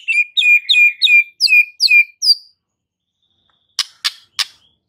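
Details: White-rumped shama singing to provoke fighter males, repeating a high two-part whistled note about seven times at a steady pace, followed after a pause by three sharp clicks.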